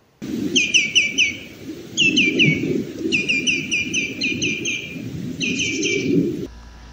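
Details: Common greenshank (Tringa nebularia), call.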